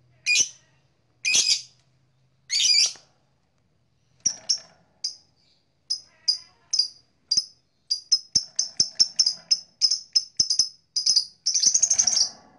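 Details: Blue black-masked lovebird starting with three harsh squawks, then a string of short high chirps that grows faster and ends in a dense chattering burst.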